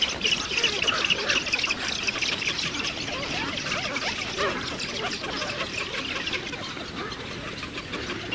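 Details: Eurasian spoonbill colony with birds at nests with chicks in Ag-Gol National Park, Azerbaijan, 2013–2014: a dense, unbroken din of overlapping grunting, wheezy calls from many birds.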